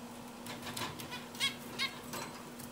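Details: A zebra finch perched on a swing sings a quick run of buzzy, nasal notes over a steady low hum.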